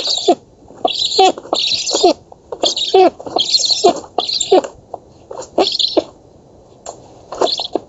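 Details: Young black storks at an oak-tree nest in Poland begging during an August 2017 feeding, one chick getting a double portion; rasping, wheezy bursts about every half second, some with wavering squeaky tones beneath.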